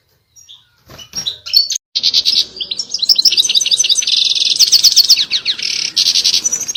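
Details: Loud European goldfinch mating song, which a female is said to answer by taking a mating posture: a few scattered chirps, then a rapid, unbroken, jangling twitter mixed with buzzy trills.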